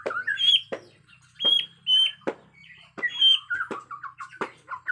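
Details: Agitated white-rumped shama of Borneo in forest: loud sharp clicks alternating with high whistled notes and short chattering phrases in quick varied bursts.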